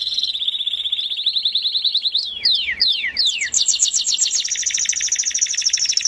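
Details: Melodious canary song with a fast even trill, a series of sharp downward-sweeping whistles, then a rapid high rolling trill.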